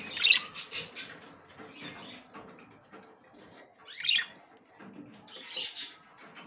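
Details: A female budgerigar tries to go into the nest for the first time, giving short high chirps spaced a few seconds apart, with soft scratchy rustling in between.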